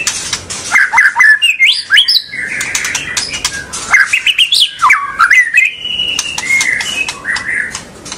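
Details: Caged-style white-rumped shama song meant to make young and untrained birds start singing and give long chattering calls: varied loud whistles, rising and falling slurs, harsh squawks and sharp clicks in fast, irregular bursts.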